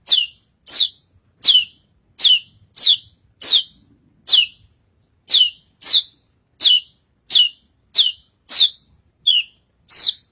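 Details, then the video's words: On a stage, an Australasian bush lark sings steadily, repeating a sharp high downslurred note roughly every half second to second, about fifteen times, ending with two slightly lower, different chirps. "Burung branjagan gacor naik panggung"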